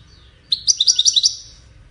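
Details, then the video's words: A European goldfinch gives a brief, bright twittering burst of about seven quick, high tinkling notes lasting under a second, over faint low background hum. "مالك ملوك التغريد طائر الحسون"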